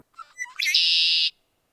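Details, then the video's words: Red-winged Blackbird, a marsh bird migrating in spring to southeast Saskatchewan and southwest Manitoba, gives its distinct call: two or three quick liquid notes, then a long, harsh, buzzing conk-la-ree trill; no other sounds. "You Can Count a Redwing Blackbird for this competition if you see one but also if you just hear this distinct call"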